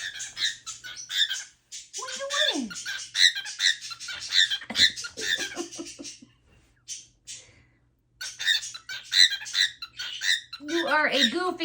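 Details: A pet cockatiel gives harsh, raspy honks in quick repeated bursts, honking at the laundry, while a person talks now and then.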